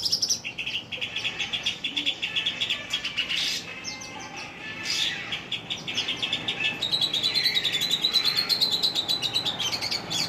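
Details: Oriental magpie-robin, a singing bird kept by hobbyists, in long, lively song: varied whistled phrases and rapid chattering notes repeated in quick succession, steady and continuous throughout.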